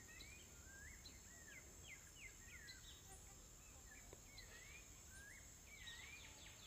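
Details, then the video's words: Smooth-billed ani calling: a series of thin, rising whistled notes, several overlapping as if from more than one bird, faint over a steady background hiss. "Anu - Preto"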